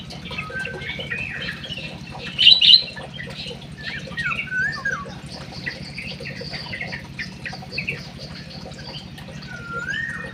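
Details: High, thin munia chirps and soft squeaks, scattered and irregular, with a sharp cluster of notes early on and a falling whistle near the end, other birds twittering faintly, low humming background.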